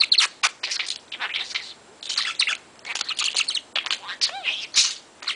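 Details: Chattering pet parrot aged 22 months, playing happily: a stream of scratchy, babbling syllables and chirps, nearly continuous, with one short rising whistled note near the end and a few light knocks.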